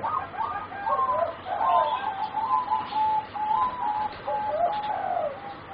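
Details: Four young singing zebra doves of a line bred for competition, about 3.5 to 4 months old, deliver rapid staccato cooing trills that rise and fall in short bouncing phrases, repeated steadily throughout, with some overlapping voices.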